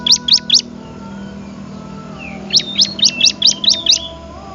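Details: Used for training other birds, a bar-winged prinia's song: three crisp high chirps, a pause of about two seconds, then seven more in a quick row over a low background hum.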